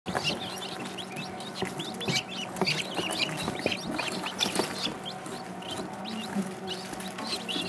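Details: Newly arrived young helmeted guineafowl keets, kept with Rouen ducklings in an enclosure and using a waterer minutes after arrival, give a steady chorus of high, thin peeps and chirps.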